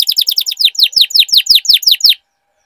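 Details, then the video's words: Canary (kenari) training song: a quick string of about twelve bright downslurred notes, evenly spaced, stopping abruptly. "Canary Singing Training, Kenari Gacor Ngerol Panjang"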